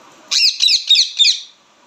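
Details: Loud chirping from an Indian ringneck parrot: a long grating screech followed by three shorter raspy squawks, evenly spaced and strident, then silence, with no other clear sounds.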